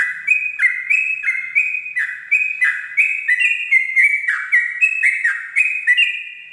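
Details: At dawn, a Sooty-headed bulbul sings 'ropel' style song for tutoring: rapid, continuous sequence of clear whistles dropping to lower notes, about two per second, pitch shifting gently between phrases.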